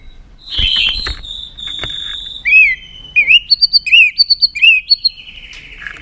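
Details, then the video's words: White-rumped shama song to excite rival birds: sustained high steady tones, then short looping whistled phrases repeated several times at a lively pace. "Âm Kích Thích Cực Nhạy.chòe lửa đập tạch kích bổi cực sung.kích chòe lửa yếu lửa"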